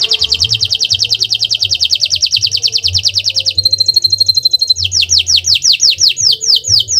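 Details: Canary song meant to stimulate other birds: a long fast rolling trill of repeated high notes, a short ringing metallic passage, then a series of down-slurred whistles repeated about twice a second.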